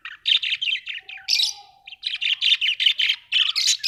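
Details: Pet budgerigars produce a steady, fast series of scratchy chirps and harsh buzzes, nearly continuous, with a soft whistled tone briefly under the chatter.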